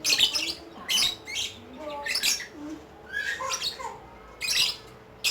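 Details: Lovebird singing in the ngekek style, with harsh, buzzy, high chattering bursts about every second, separated by short gaps and faint lower squeaks.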